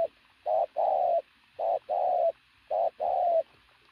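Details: Three loud coo phrases from a strongly built decoy pigeon, each a short opening note followed by a longer, even coo ending slightly higher.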